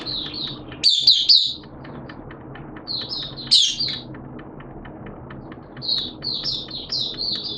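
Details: Oriental white-eye in a cage, hobby bird in open song ('buka sing'), 11 September 2022, wet erratic weather; short clusters of high, thin, warbled notes come in three bursts separated by pauses over a faint low hum.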